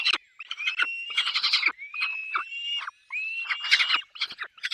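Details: At a peregrine falcon nest with chicks, raspy squawks mix with drawn-out rising whistles, several upslurred whistles alternating with bursts of grating chatter.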